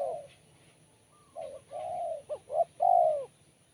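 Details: Spotted dove with a crisp, sharp cooing voice, giving a phrase of low hooted coos, two short notes then a longer drawn-out final coo, with a faint tonal whistle before it.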